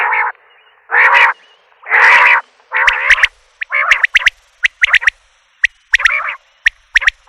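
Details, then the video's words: Common quail calling insistently: loud, harsh, nasal bursts give way to rapid series of sharp, high, clipped notes repeated around once a second. "Batair ki Awaz , Batair Sound vol 41, Common Quail Sound 2020 |CALL COMMON QUAIL (Coturnix coturnix)"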